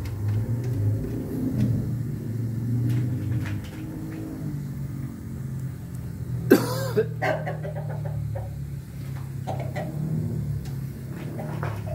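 A steady low engine-like rumble fills the recording, broken by a single sharp cough-like burst, with no clear animal call.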